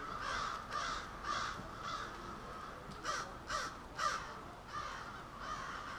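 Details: Crows gathering at their nightly roost in suburban Halifax, Nova Scotia: a steady chorus of harsh caws, repeated about twice a second, with several louder nearby calls standing out over a constant background of many distant birds.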